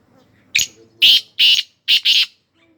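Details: Black francolin calling: a short sharp opening note followed by four loud, harsh, grating notes, the last two run closely together, all within about two seconds against a quiet background.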